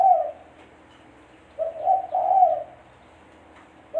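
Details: A spotted dove, its call used to lure birds into traps, gives a hollow, low-pitched cooing phrase of three rising-and-falling notes between fragments of others.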